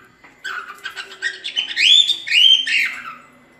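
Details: Cockatiel song meant to train chicks to sing: quick chattering notes build into a louder warbled phrase with sliding whistles, then fade out.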